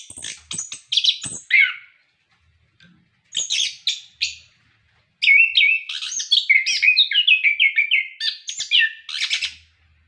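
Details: Orange-headed thrush in sustained song meant to prompt caged birds: scattered clicks and chattered notes, then a long run of rapid repeated whistled notes, roughly three per second, rising and falling in pitch.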